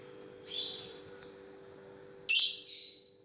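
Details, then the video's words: Two separate harsh, high, rasping shrieks from a lovebird about two seconds apart, the second louder, with a low background hum. "Love bird ngetik ngetik panjang"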